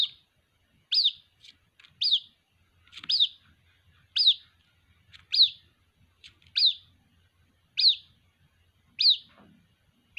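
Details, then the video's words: High-pitched peeps of a white-breasted waterhen chick calling its mother, nine descending notes repeated about every 1.1 seconds, with faint extra ticks and a low hum in the background. "Suara anakan Burung Ruak Ruak, memanggil Induk Ruak"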